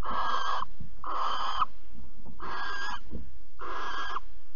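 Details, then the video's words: Barn owl at Alphen on 15 April 2020, during a mouse handover and mating: four harsh, breathy hissing screeches of about half a second each, evenly spaced, over a low steady background rumble. "Kerkuil Alphen 2020 04 15 PO muis en paring"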